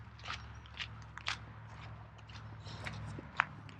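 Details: Footsteps crunch and scrape over the ground outdoors, with sharp crackles and a low steady hum beneath.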